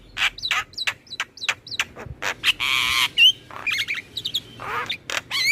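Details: Black-winged myna song played to prompt captive birds to sing: rapid clicking chirps, then a raspy squawk and warbling, wavering whistled phrases mixed with harsh notes.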